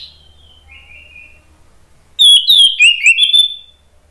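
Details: Orange-headed thrush, known locally as anis merah, singing an agitated song used to provoke other birds into singing: faint thin whistles first, then a loud burst of rich, varied warbled whistles with quick sharp notes after two seconds.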